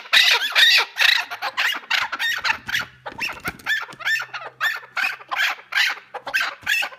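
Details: Several chukar partridges call over one another in a loud, raspy chorus of repeated chuck-chuck-chukar notes, about two per second, with a faint low hum beneath.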